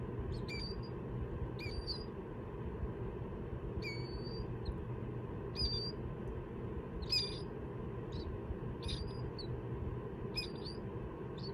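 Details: Young Killdeer hatched from eggs taken from harvest fields, now kept warm and rehabilitated for release. Sharp high peeps repeat about every one to one and a half seconds, roughly nine in all, over a continuous low hum.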